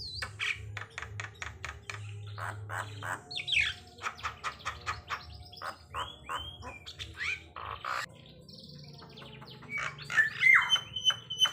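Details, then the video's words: Javan myna in a varied sequence of sharp clicks, whistled slurs, rising and falling notes and harsh bursts, fast and irregular, with a low steady hum underneath. "jlak kebo batuk batuk gacordor atas bawah mantap"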